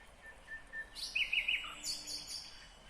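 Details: Nightingale singing in Kyrgyzstan in 2020: a few soft repeated notes, then three loud, sharp notes in quick succession followed by higher buzzy bursts, over a quiet outdoor background.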